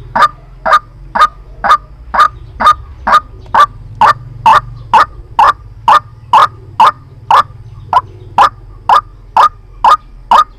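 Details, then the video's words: White-breasted waterhen calling to lure birds into traps, with a long monotonous run of about twenty-one harsh, clipped notes at a brisk, regular rhythm of roughly two per second and a low hum underneath. "Tiếng chim quốc Mồi chuẩn dùng để bẫy"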